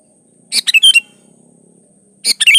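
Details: Sooty-headed bulbul singing vigorously, meant as a lure to get other bulbuls singing: two quick phrases of liquid chirps ending in slurred whistles, separated by over a second of near silence with a faint low hum.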